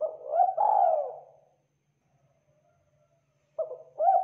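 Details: Local spotted dove ends one phrase with a long hoarse coo, falls silent for two seconds, then begins another with short husky notes.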